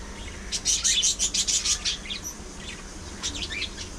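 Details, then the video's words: Pet budgies, parakeets shown singing, talking and grooming together, produce a fast run of about nine bright, sharp chirps within a second and a half, then quieter scratchy warbling notes. "Budgies Being Budgies: Non-Stop Fun, Fights, Love & Chirpy Chaos!"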